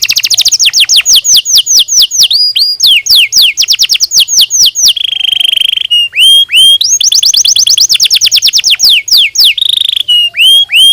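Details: Canary song played to stimulate singing: loud, rapid series of sweeping whistled notes repeated in fast trills, broken by sustained buzzy rolls and sharp upward chips, very clear and close.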